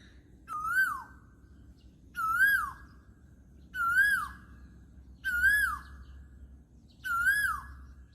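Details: Asian koel in Thailand, calling from tall treetops as summer arrives in April: a loud, clear whistled note that swells upward then drops, given five times about every one and a half seconds over a low background rumble.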